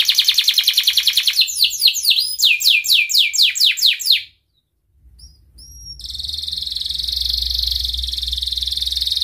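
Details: Breeding-condition canary calling to a rival, a lure for young birds learning to sing: fast rattling trill of falling notes, a pause with two short chirps, then a long rolling buzzy trill over a low hum.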